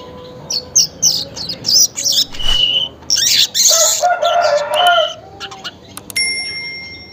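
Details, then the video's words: Morning weaver song at roughly 5:40: short sizzling high bursts repeated in a quick chattering series, broken by a rooster's crow and a few thin whistled notes near the end. "suara pancingan burung manyar pagi hari"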